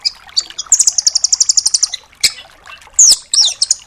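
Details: Velvet-fronted nuthatch ('rambatan doraemon') singing a full 'tembakan' for tutoring songbirds. A long, steady, very high trill of about fifteen notes is followed by chips and a couple of sweeping, slurred whistles.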